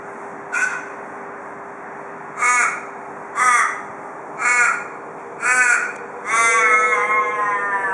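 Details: Wild male Australian raven at a Perth porch, Australia, calling in the 'cock a doodle doo' manner typical of local ravens: six loud harmonic caws about a second apart, the last stretched into a long, wavering, falling wail.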